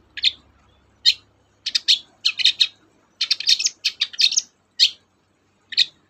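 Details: A long-tailed shrike singing energetically, used to coax reluctant shrikes into song: single harsh notes open and close a dense run of rapid, chattering, scratchy syllables, with faint low hum early on.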